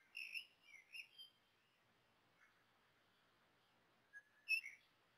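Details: Common blackbird chicks at the nest, slow to accept their first food deliveries: a burst of thin, wavering squeaks, a long quiet gap, then a louder squeaky cluster.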